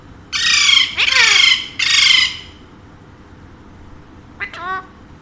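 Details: Three loud rasping squawks in quick succession come from a pet Alexandrine parakeet, one of a talking pair said to speak Urdu and Hindi. A short, quieter chattering call follows after a pause, indoors.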